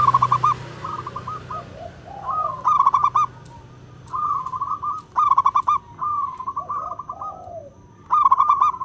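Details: Wild local zebra dove (perkutut) with a clear, crystal song suited for luring birds; repeated phrases of fast rolling, bubbling coos separated by short pauses, with quieter dove notes in between and low background hum.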